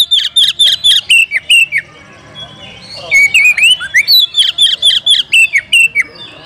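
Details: Oriental magpie-robin (kacer) calling to provoke a rival into fighting, meant to make it open its tail and sing with full emotion; loud whistled and slurred phrases, rapid bursts of rising and falling notes, then a pause and another dense burst.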